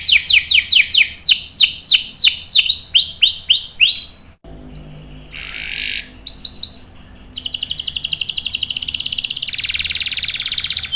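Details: Canary singing a long rolling song, used to prompt and tutor young birds: a run of quick descending whistled chirps, a pause with scattered short notes, then a sustained, very high buzzy trill that shifts pitch near the end.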